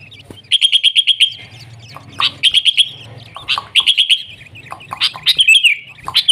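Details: Wild sooty-headed bulbul singing vigorously in the nggaruda style, used for tutoring and luring: bright rapid chirp series repeated in short bursts, with sharp notes between them and a faint low hum beneath.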